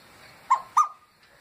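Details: A koel calling while visiting at a closed glass window: two short, clear mid-pitched notes about a quarter second apart, the second slightly longer and trailing into a faint level tone, then quiet.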